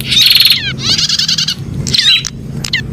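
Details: Prinia giving a rattling buzzy trill, then a longer scratchy chattering phrase, followed by a few sharp clipped notes and short chips, against a low background hum.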